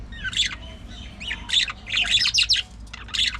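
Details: Budgerigar colony in an aviary: bursts of sharp, scratchy chirps and squawks from several birds, overlapping in quick clusters with brief gaps, over a low steady background hum.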